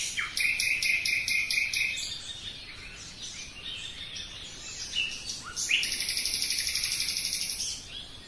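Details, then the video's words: Common nightingale singing in a forest: a burst of loud, rapid repeated notes, softer scattered phrases, then a fast, dense, high rattling trill lasting about two seconds, over faint steady background hiss. "Пение соловья"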